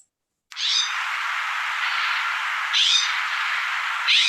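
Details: A California Scrub-Jay gives harsh, raspy, scratchy calls, with stronger bursts roughly every one and a half seconds over a continuous rough hiss.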